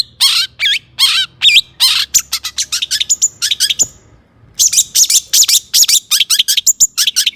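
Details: Caged long-tailed shrike (cendet), agitated song for provoking other shrikes. It gives a fast, continuous run of sharp chips and harsh notes with a brief pause midway.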